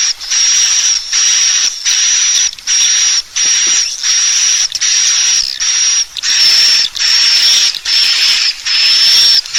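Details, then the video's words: Swiftlet lure call played to bring birds into a bird house to roost: a rhythmic series of buzzy, hissing pulses with a fine piercing whistle on top, roughly 76 per minute. "Suara Burung Walet Panggil Tarik Inap Terbaik II SUARA PANGGIL BURUNG WALET"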